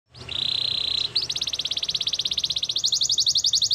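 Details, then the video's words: Belgian canary training song for warming up canaries: a steady high whistled note held for about a second, then a fast, even trill of rapid pulses that carries on to the end, with faint low hum beneath. "Warm up your belgian canary!! The best canary training"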